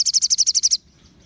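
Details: Brief burst of Crimson sunbird song, meant to provoke other sunbirds: nine rapid, identical high piercing notes in under a second, then silence.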